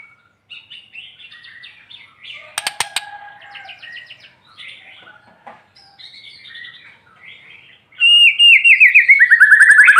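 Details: Morning song of a sunned white-rumped shama (murai batu), meant to provoke quiet birds: soft varied chatter and clicks, then a sudden loud fast trill descending in pitch.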